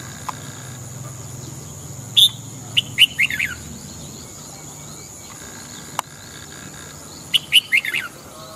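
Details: Red-whiskered bulbul singing in the morning, two bursts of liquid, descending warbled notes about five seconds apart over a constant hum.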